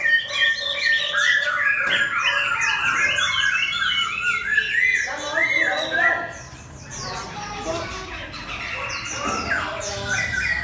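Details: Hwamei kept for contests, facing a fighting bird, sings a long run of loud, jumbled whistles and chattering notes, dipping briefly quieter midway before resuming its varied, fluty phrases.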